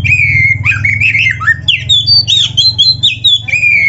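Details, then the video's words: Lively Oriental magpie-robin song rich in mimicked phrases, meant for tutoring other songbirds: a long clear whistle, then rapid twisting, rising and falling squeaky notes, with a constant low droning hum beneath. "MASTERAN KACER GACOR FULL ISIAN !! - Suara Burung Kacer yang cocok untuk Latihan"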